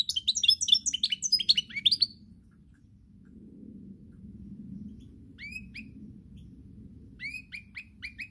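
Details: European goldfinch on 10 November 2019 giving two seconds of lively twittering song, then a quiet stretch of low hum before a few sparse, thin rising notes return.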